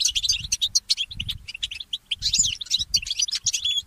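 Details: Goldfinch mule, a goldfinch hybrid, singing in the early morning: rapid bright twittering notes and short trills in bursts, with brief pauses and faint low thumps beneath.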